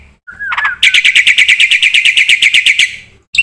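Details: Black-winged myna (jalak putih) singing a full, varied song: after a brief whistled slur, a fast run of about three harsh, ringing notes per second, evenly repeated and loud.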